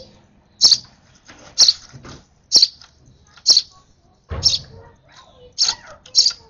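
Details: Nestling sparrow begging eagerly during hand-feeding, repeating sharp high chirps roughly once a second, seven in six and a half seconds, with a short rustle midway.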